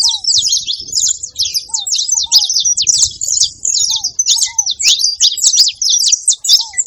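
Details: Chattering saffron finch: rapid high chips and buzzy twitters run nonstop, punctuated by several short down-slurred lower whistles, with only faint low noise behind.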